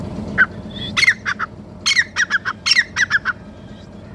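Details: Grey francolin (teetar) calling: loud, harsh, squawking notes in quick bursts, first single then in clustered runs of two or three, spanning about four seconds over a low steady background hum.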